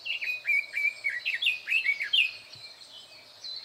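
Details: Loud song of a red-billed leiothrix hidden in thick bushes, May 2024: quick series of clear, down-slurred whistled notes, roughly three per second, brightening into a tumbling flourish before fading.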